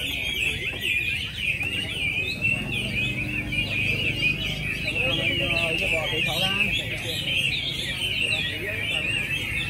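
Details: Competition singing by Chinese hwamei at the Mỹ Đình song contest, 19 July 2020, bird number 37 competing; a dense, unbroken stream of loud, looping whistled notes and rapid trills, overlaid by a male announcer speaking.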